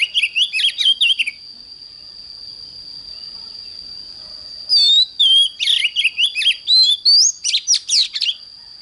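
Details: Morning song of an oriental magpie-robin, sung in a heated, energetic style: a burst of varied whistles and chattering notes, a pause filled only by a constant high whine, then a long rich run of rising and falling whistles and buzzy trills.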